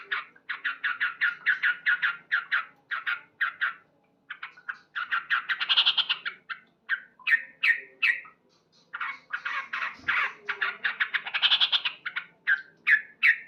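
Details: Male Sooty-headed bulbul's loud morning song, long runs of rapid chattering notes broken by short pauses, with brighter, harsher bursts mixed in.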